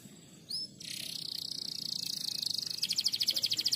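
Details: Canary singing a fast, tightly packed lure song used for tutoring other birds: two brief rising whistled notes, then a long, high buzzy trill that breaks into rapid pulsed repeats near the end. The background is fairly quiet.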